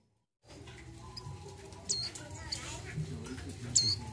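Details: A female mountain white-eye, in breeding condition and calling to males, gives three brief, thin, high chirps spaced over a few seconds, above a steady low hum and faint voices.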